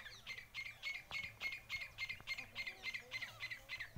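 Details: Grey francolin (Francolinus pondicerianus) giving harsh, squawking notes about three to four per second in a steady, insistent run, during a fierce fight between three wild francolins and a pet francolin.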